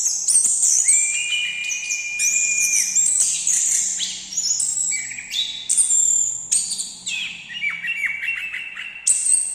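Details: Lively orange-headed thrush song, alternating long level whistles with busy high twittering phrases, delivered almost without a break over ten seconds.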